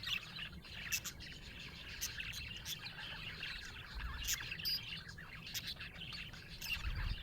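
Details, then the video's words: Happy pet budgerigars, colorful Australian budgies, chirping busily: quick, sharp, twittering notes and buzzy bursts overlap almost nonstop over a low background rumble. "Happy budgie chirping sound"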